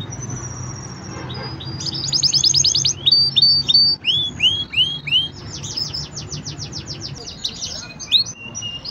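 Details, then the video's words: A green canary sings a varied high song: a thin held whistle, then rapid buzzy trills, repeated down-slurred whistled notes and another fast trill, tours changing every second or two above a low steady hum. "Green canary bird singing"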